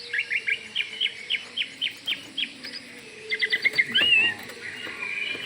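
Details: Oriental magpie-robin of the Kalimantan form singing vigorously to make other magpie-robins answer: a run of short, sharp chirps about four per second for three seconds, then a quick, rising warbled phrase, over a faint steady insect-like hum.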